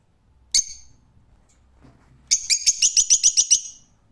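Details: Rose-ringed parakeet giving one sharp, harsh screech, then, after a pause, a rapid burst of about nine grating shrieks in quick succession.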